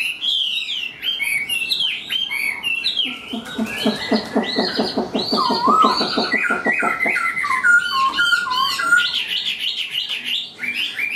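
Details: Hand-tame Chinese hwamei in a cage sings varied looping whistles, breaks into a long fast series of rapidly repeated notes, then returns to rich high warbling phrases.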